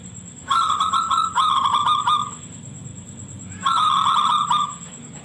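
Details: Local zebra dove with a piercing voice, recorded as a lure to prompt other zebra doves to respond. Two long runs of rapid, pulsed cooing notes, the first lasting nearly two seconds, over a steady background hiss.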